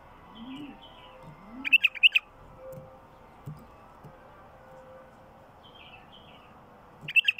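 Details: Wild bulbul singing an al-Qafila (caravan) phrase meant to stimulate other wild bulbuls: a short, rapid run of bubbling, liquid notes, repeated after a pause. Faint soft chirps and low background hum in between.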